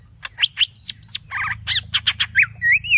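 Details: Green leafbird giving a dense, aggressive full-fill song: rapid sharp chirps and short level whistles, a buzzy rattled doubled phrase, quick upswept notes, and a closing rising whistle that flattens out, with a low hum beneath.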